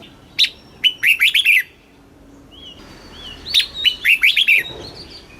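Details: Red-whiskered bulbul kept caged in Thailand, singing a southern master-style phrase meant to rouse other birds and teach chicks: two quick runs of sweet, bubbling whistled notes, separated by a thin, high drawn-out whistle.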